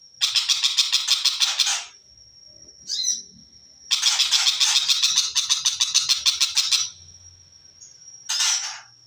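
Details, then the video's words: {'caption': 'Long-tailed shrike giving long runs of scratchy notes at about three per second. Runs are separated by a clear continuous high whistle, with a short harsh burst at the end.'} "Cendet Macan Viral"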